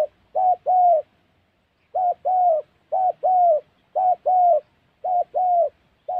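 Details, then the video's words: Spotted dove heard during trapping in the wild mountain forest of Gia Lai, Central Highlands, Vietnam: low, mellow two-part coos, a short note then a longer one, repeated about once a second over near silence. "Bẩy Cu Gáy"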